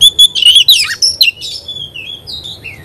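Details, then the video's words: Oriental magpie-robin (kacer) singing actively: a quick string of loud clipped whistles and buzzy sliding notes, fading into softer drawn-out descending whistles. "Kacer gacor"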